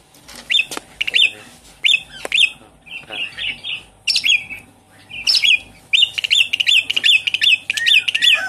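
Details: Javan pied starling (Gracupica jalla) song used as a lure to prompt a caged bird that has stopped singing: loud, varied bursts of harsh chatter and bright whistled notes in quick phrases about once a second, busier toward the end.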